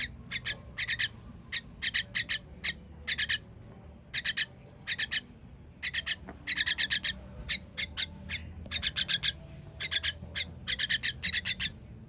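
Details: Baby birds being fed, recorded 21 June 2023: loud, harsh, raspy hissing bursts in quick clusters of two to five, repeated throughout with short gaps, over a low, steady background rumble.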